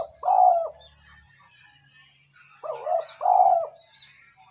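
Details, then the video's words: Spotted dove cooing for training a lure bird: a single throaty coo, a quiet stretch, then a short note followed by a longer hollow coo, with faint high bird twitters in the background. "Tiếng cu gáy kích bổi nhanh nổi"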